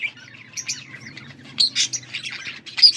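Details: Budgies on August 14, 2024: soft scattered chirps at first, then louder high squeaky tweets and buzzy notes in quick clusters, with a faint low hum.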